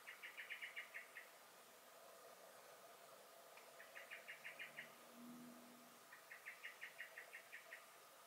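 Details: Alarm calls of a common blackbird (Turdus merula) in a garden, May 2021: three rattling runs of fast, metallic chink notes, roughly eight per run, spaced a couple of seconds apart, with a faint low hum between.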